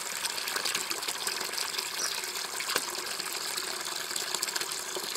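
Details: Water gushes steadily from a tap in a continuous hiss, and no animal voice stands out.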